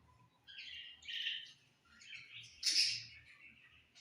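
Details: Budgerigars on a summer evening, giving short bursts of bright, scratchy chirps and warbles, with a louder squeaky burst near the end and brief quiet gaps between phrases.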